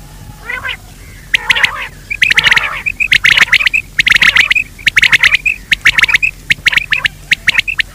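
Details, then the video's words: Quail call used to lure quail in daytime: harsh, raspy bursts of rapid clicking notes, interspersed with short clear whistled dots, repeated in quick irregular runs. "Batir ki awaz Quail sound for day part 2( دن کے بھلانے کے لئے)"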